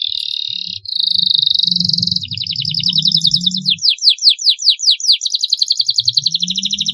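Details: Canary singing for young birds to learn from: a steady buzzy note, a bright rolling trill, then loud swooping whistles repeated about two and a half times a second, over a low rumbling hum.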